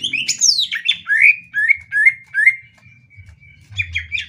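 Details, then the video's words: Greater green leafbird song meant for training other birds: a sharp high sweeping burst, then evenly repeated slurred whistles about twice a second over a thin sustained tone, with a faint low hum. "masteran cucak ijo paling dicari"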